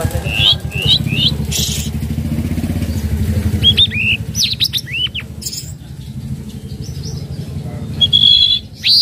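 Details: Tledekan laut (flowerpecker) trotol lure call for training untamed birds: repeated high downslurred chirps and sharp whistles, partly over a loud low motor rumble that fades midway.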